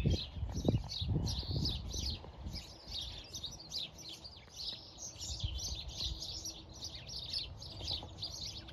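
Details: A flock of house sparrows chattering in a hedgerow on a farm in County Kilkenny, Ireland: constant overlapping short, bright chirps over low rumbling wind or handling noise, strongest at the start.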